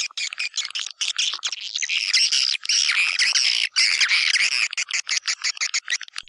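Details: White-nest swiftlet lure call for nest houses, tested in East Kalimantan: quick run of clicking chirps building into a continuous shrill, buzzy twitter, then breaking into clipped bursts.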